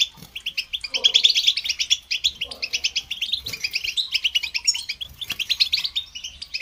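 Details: Continuous bright chatter from a European goldfinch, sung for listening and training birds, a rapid, jangling stream of high chirps with a few soft low thumps in the background.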